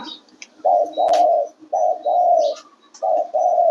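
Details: Spotted dove singing three paired coos, each a short note followed by a longer drawn-out hoot, evenly spaced about one second apart, with a faint click and low hum.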